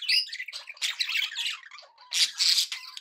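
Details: Happy pet budgerigars chattering, a busy run of scratchy squawks and warbled notes, with a bright burst of harsh chirps near the end.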